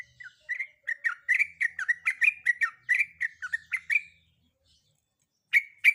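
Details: Female sooty-headed bulbul, breeding condition, calling a male: quick bubbly chirps in a fast regular run for four seconds, a pause, then two sharper clipped notes.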